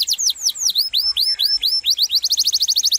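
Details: Lively canary singing long, melodious, sharp varied phrases in a rolling style: series of high descending whistled slurs, then arched whistles, ending in a fast, even trill of short high notes.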